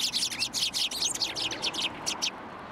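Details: Dense, rapid chirping from sparrows gathered at a post to be fed, Tenmangu shrine, 2 January 2023; bright twittering notes pour out almost without pause for over two seconds, then stop abruptly.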